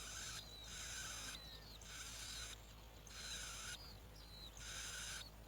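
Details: Bar-winged prinia chicks at the nest, fed locusts by both parents, give harsh, hissing begging bursts about a second long, repeated in pulses, with thin high squeaks mixed in and a low background hum.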